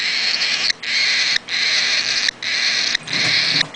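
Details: Begging from an 8-day-old nestling: continuous harsh, noisy rasps in long bursts, each lasting about half a second to a second, separated by short pauses.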